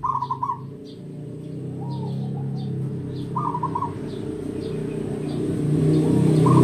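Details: Local wild-caught zebra dove, an old bird kept for decades, giving rattling trilled coo phrases, two clear and others softer, against loud, rising low-pitched rumbling noise.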